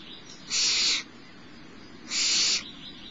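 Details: Barn owl owlet begging while being fed by its mother at mid-morning, 10:28 on 6 March 2011, at a nest at Starr Ranch: two loud, harsh, broad hissing screeches about half a second long, separated by a pause of over a second.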